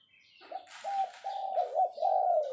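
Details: Captive decoy spotted dove calling to lure: a run of mellow low coos, some wavering, joined into a long purring phrase over two seconds, faint rustle behind.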